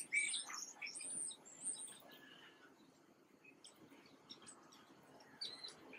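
Black-capped chickadee giving a quick run of thin, high chips and twittering notes in the first two seconds, then a faint soft chip near the end.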